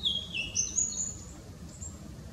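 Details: Blue-and-white flycatcher singing in a tree, 18 April 2016, filmed with a Nikon Coolpix P900, newly arrived this year: thin, high, clear whistles sliding between pitches over steady low background rumble.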